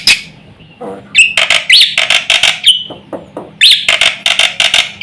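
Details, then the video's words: Black-winged myna singing a full, varied song used to provoke other mynas into calling: loud harsh squawks alternating with bursts of rising whistled notes, a long drawn whistle near the middle. "suara jalak putih gacor full isian sekali pancing semua burung jalak ribut gacor"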